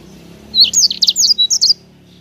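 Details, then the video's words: Energetic sanger singing gacor ngerol, its chattering rolling song: a short, dense burst of about nine high, sharp whistled notes packed into barely more than a second, then quiet with a soft low hum. "Suara Sanger Gacor Ngerol Enak Rapet"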